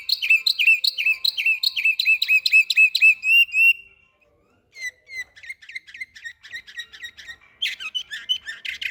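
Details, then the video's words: Samarkand canary delivering rapid trilled tours of repeated sliding notes for nearly four seconds, a short silence, then sparser quick chips building into a dense burst toward the end. "САРИК БУЛБУЛ САМАРКАНДДА"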